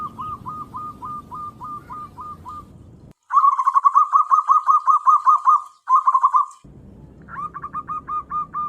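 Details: Tame local zebra dove kept for luring wild doves: quick runs of short hooked cooing notes, a soft series, then a louder, denser burst after a break, and a soft run again over low rumbling background.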